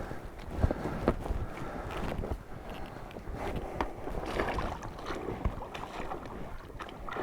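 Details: Gusty wind buffeting the microphone outdoors, mixed with rustling and handling knocks; no animal calls.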